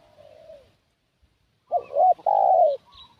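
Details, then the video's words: Spotted dove used as a decoy, calling to lure wild doves: a faint low coo, silence, then a loud phrase of a short hooting note followed by a long, full, slightly descending coo. "Suara Pikat Burung Tekukur"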